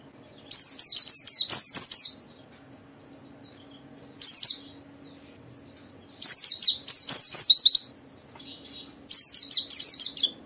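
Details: White-eye singing gacor, played to provoke other white-eyes to sing. Short energetic bursts of shrill, fast-slurred chirps about every two seconds, separated by near silence.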